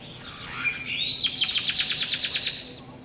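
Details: Unidentified bird described as weird, in Atlixco, Mexico: a squeaky rising slur followed by a quick run of bright, repeated chattering notes, roughly three per second, then fading.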